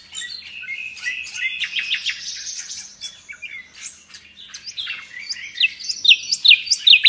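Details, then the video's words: Nightingale, a tutor bird for Indonesian song-bird keepers, in energetic 'gacor' song: a busy warbled passage with buzzy notes, a brief lull, then loud sharp chips repeated about twice a second. "Nightingale song FULL gacor"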